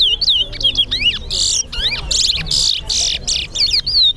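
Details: Towa towa competing at Sheriff Street bird ground, Guyana: swooping whistles alternate with long harsh buzzy blasts, then the clear looping whistles return at the end; light crowd murmur.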